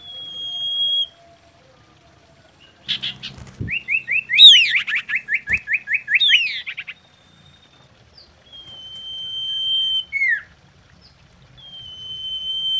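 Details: Common iora singing in mating condition, meant to lure and excite other ioras: long level whistles, then a loud rapid rattling trill of repeated buzzy notes, followed by more drawn-out whistles and a falling slur.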